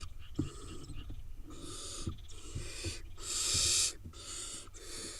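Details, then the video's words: Wild barn owl nestlings in Israel, a brood of eight, giving broadband hissing calls of about half a second to a second each, one louder and longer hiss near the end, with soft low thumps and rustling underneath. "8 nestling cute barn owl nestlings"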